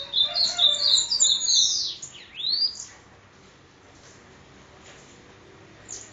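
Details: Bananaquit, known locally as sibite, recorded in Parnamirim, Rio Grande do Norte, delivering an 'endemoniado' song: a dense, rapid jumble of shrill high twitters and sweeps for about three seconds, then quiet with faint notes.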